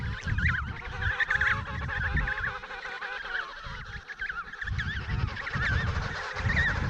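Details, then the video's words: Adult emperor penguins calling in a noisy, crowded Antarctic colony, their trumpet-like calls meant to carry over the crowd and wind; many warbling, wavering calls overlap continuously, with low rumbling noise underneath. "Various Moments of Penguins Making Sounds"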